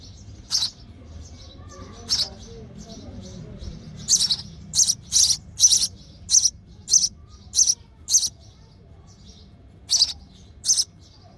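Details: Sparrow nestling calling for its mother at feeding time: scattered high chirps at first, then a fast run of bright, piercing chirps, and two more after a brief gap.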